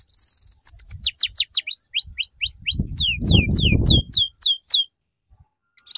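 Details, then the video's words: Young canary learning song, a lure recording in the ngeriwik chirping style used as a tutor. A rapid run of repeated high, downward-sweeping chirps in quick series, with a short burst of low rumbling noise midway. "Suara PANCINGAN Kenari Paud Belajar Bunyi Ngeriwik"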